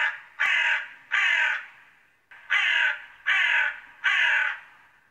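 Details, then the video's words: A crow gives five harsh, raspy caws, each about half a second long: a pair, then a quick run of three, with nothing else heard. "Som de Corvo - Canto do Corvo - Barulho de Corvo"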